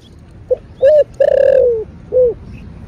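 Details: Spotted dove giving a 'thổ bầu' style calling and urging phrase: a tiny click, a short note, a long falling hollow coo and a softer rounded closing note.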